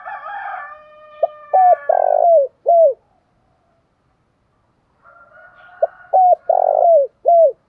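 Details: Spotted dove singing in the "thổ pha đồng" style. A rooster crows at the start and again later. Two dove phrases of short coos, a rolling purr and a drooping end note are heard between and after the crows.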